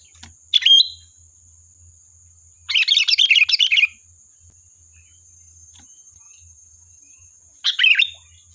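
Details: Sooty-headed bulbul in full voice, played as a lure to provoke replies: one short whistled phrase, then a fast rattling run of chattering notes lasting over a second, then another whistled phrase, over a steady high whine.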